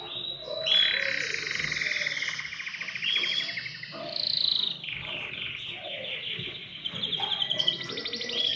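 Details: Canary song for encouraging other birds to sing: dense rolling trills alternating with higher bright phrases and rapid rattles, continuous and vigorous, changing tours every second or two.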